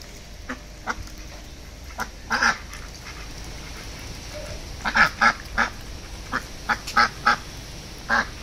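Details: Several domestic ducks, hand-raised from eggs, give short nasal quacks in scattered single and paired bursts, with a tight cluster of rapid quacks around the five to seven second mark over a steady low background hiss.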